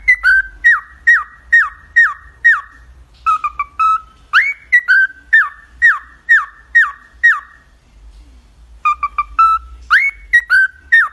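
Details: Pet cockatiel singing a whistled melody, series of bright slurred notes in steady runs of about six, a brief pause, then faster twittering phrases and rising whistles repeating the tune.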